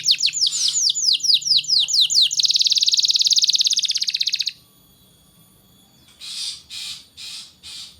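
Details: Canary song used as a tutor to stimulate young canaries to sing: rapid series of descending whistled notes, then a fast dense buzzy trill, a pause, and four short harsh bursts.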